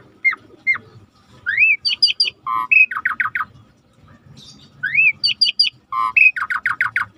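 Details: Asian pied starling song, played to trigger singing in quiet birds: a rising whistle followed by rapid stacked chirps and a fast run of descending notes, the phrase given twice.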